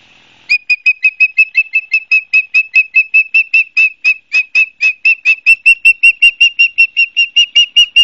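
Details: At Barnegat Light, New Jersey, an osprey calls from its nest on a live camera, 12 September 2022, late afternoon. A long, steady run of sharp, high whistled notes, roughly two to three each second, continues for nearly eight seconds.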